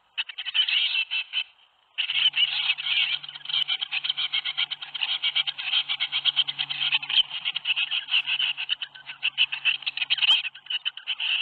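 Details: Tits in a nest box at Théding on 21 May 2019, the day seven young fledged. A dense, raspy buzzing chorus runs almost continuously in rapid pulses, breaking briefly near two seconds, with a faint low hum beneath.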